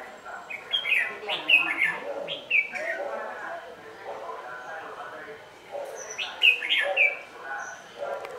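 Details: Red-whiskered bulbul decoy singing during a trapping session at nightfall on 27/11/2018. Wild bulbuls came to the trap. The song has short bursts of bright, warbled notes with quick rising and falling slurs in two clusters, while people talk quietly in the background.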